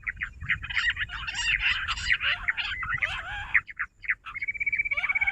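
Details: Jungle bush quail calling in a trapping setting: a busy jumble of squeaky, chattering notes overlapping as if several birds call at once, ending in a steady high whistled trill, with low rumbling background noise.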